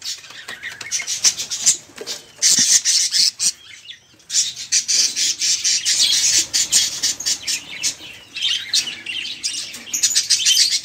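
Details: Budgerigar flock in a cage, noisy and busy, chattering as a prompt for other caged songbirds; dense high scratchy chatter with rapid chirps and squawks, almost nonstop, with one short pause near four seconds.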